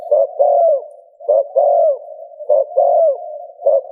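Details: Spotted dove cooing in the 'gù' style to stimulate another dove: a clipped low note then a longer coo sliding downward, the pair repeated roughly every 1.2 seconds, with a continuous low hum underneath.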